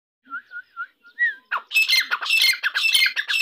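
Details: Grey francolin, called Irani dakni teetar, opening with a few soft whistled notes near the same pitch, then breaking into a loud, harsh, rapidly repeated grating chorus of broad scratchy notes that fills the last two seconds.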